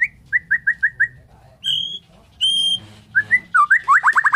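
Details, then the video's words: White-rumped shama of the Borneo type singing in the morning: a quick run of five clear rising whistles, then long sustained high whistled notes and a rapid, bubbling trill at the end, over a low background hum. "KICAUAN MURAI BORNEO PAGI"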